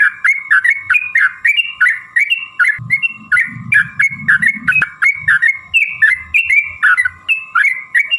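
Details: Sooty-headed bulbul song meant to make other bulbuls answer at once: steady series of rich whistled phrases, falling and rising, about two to three per second, with some low rumbling noise midway.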